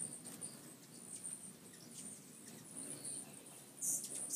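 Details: Hummingbirds visiting a back deck, several coming in: thin, very high squeaky chips scattered through, with a brighter burst of sharp chittering near the end over a low steady background hum.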